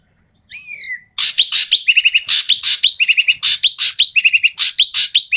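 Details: Asian pied starling giving loud, harsh, noisy calls used to prompt quiet starlings to sing: a brief whistled upslur, then a rapid run of broadband rasping notes and clicks, nearly three per second, with short nasal tones mixed in.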